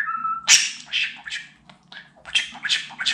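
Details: Budgerigar kept as a pet imitates talk. It opens with a level whistle, then a sharp burst and a string of scratchy, high syllables in uneven bursts.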